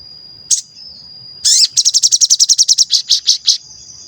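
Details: Sooty-headed bulbul lure song used to make wild or kept birds call, respond and become excited. A high thin chirp, then a fast run of about fifteen sharp, even chirp notes with a steady high whistle tone behind them.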